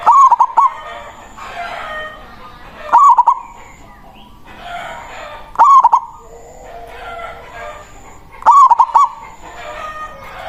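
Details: Big-voiced local zebra dove singing to call rivals, a lure for catching wild doves: four stuttering cooed phrases, each a burst of short notes ending in a held tone, repeated about every three seconds over hiss.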